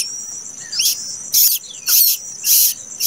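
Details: Plaintive cuckoo nestling, hatched late, gives three loud, rasping, hissy bursts, each about a quarter-second long and roughly half a second apart, over a constant high-pitched hiss.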